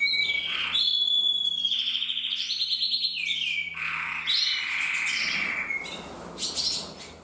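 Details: Pair of singing canary males in red-black intensive and red-black frosted: sustained whistled tones give way to rapid rolling trills and rising chattering phrases, fading toward the end.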